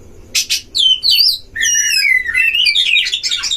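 Oriental magpie-robin singing a rich, varied run of sweet whistles, slurred notes and scratchy chatters, high-pitched and continuous after a brief opening burst.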